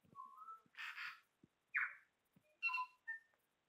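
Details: A pair of tui displaying to each other in a backyard, filmed on a tablet: a varied mix of clear whistles, a rising note, harsh wheezy bursts and a bright two-tone phrase, with quiet low clicks between.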